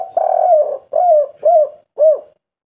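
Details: Local spotted dove giving a three-note style coo: one long wavering coo, then three short rounded coos spaced roughly half a second apart, soft and low-pitched, with no other sounds present.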